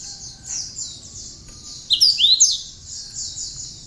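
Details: Cinereous tit song with bar-winged prinia phrases, used to teach other songbirds: steady high chatter of quickly repeated notes, interrupted midway by a loud cluster of sharp, swooping whistled notes.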